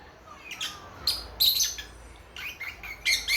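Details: Young lovebird chicks a few months old chattering together, with bursts of squeaky, noisy chirps and short rising whistles in quick irregular groups over faint background hum.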